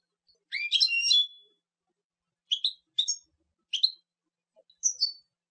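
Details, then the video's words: Goldfinch opening with a longer rising, buzzy twitter, then giving short separate tinkling two-part notes at roughly one-second gaps in a quiet setting. "canto de jilguero"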